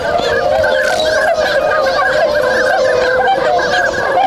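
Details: Wintering swans in Inzai, Chiba, Japan, rousing and beginning to move on 16 January 2022; many birds give overlapping bugling honks in a steady, unbroken chorus.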